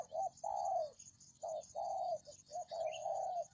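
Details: Spotted dove coo used for luring: repeated phrases of a short hooting note followed by a long, level, slightly falling coo, three phrases in under four seconds, with a steady faint high-pitched whine behind.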